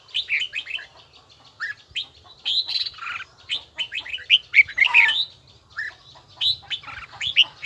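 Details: Red-whiskered bulbul in voice training, singing a bell-toned, evenly paced song of rapid bright chirps and slurred whistles in short bursts, with faint low rumble beneath.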